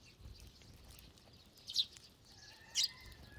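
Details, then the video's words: Two loud, quick sparrow chirps stand out from a feeding flock amid soft twittering, followed by a thin steady whistled tone. "참새들의 합창"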